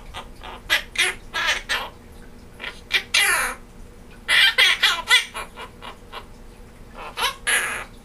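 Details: A pet monk parakeet chatters in quick, harsh, raspy bursts, singing Jingle Bells, remembered from last year, and laughing throughout, with some unclear words in the middle.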